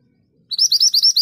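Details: Mountain Scarlet minivet singing a brisk string of about seven clear, upslurred whistles in a steady, rolling rhythm, each note ringing and evenly spaced, with no other sounds around.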